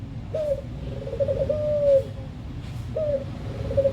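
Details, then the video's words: A Barbary dove (puter), recorded as a lure to get puter birds singing, gives soft, low, drawn-out coos with a rolling quaver, a phrase about every three seconds, over a steady low background hum. "Suara Burung Puter | Sound of Puter Bird"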